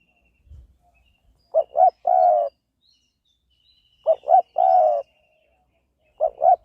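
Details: Spotted dove cooing in rural Isan, Thailand: phrases of two short soft coos followed by a longer drawn-out coo, repeated about every two and a half seconds, with a faint steady high tone behind.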